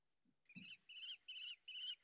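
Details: An American Kestrel (Falco sparverius) calls four shrill, high notes in quick succession, one about every 0.4 seconds, with no other sounds.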